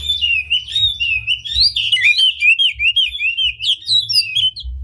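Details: Oriental magpie-robin with its tail spread in energetic song, used to excite other magpie-robins: an unbroken flow of quick whistled slurs and twittering notes, rising and falling, over a low rumble.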